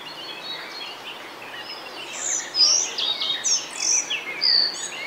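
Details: Male Collared Flycatcher (Ficedula albicollis) singing in Bavaria, Germany, May 2020: faint high notes at first, then from mid-clip a louder phrase of thin, squeaky whistles and sharp, high slurred notes, varied in pitch, against a quiet background hiss.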